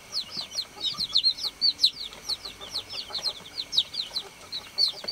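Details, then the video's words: Baby chickens on a farm peeping for the hen: a busy chorus of high, slurred chirps tumbling over each other without pause, with faint low background rustling. "BABY CHICK CHIRPING SOUND"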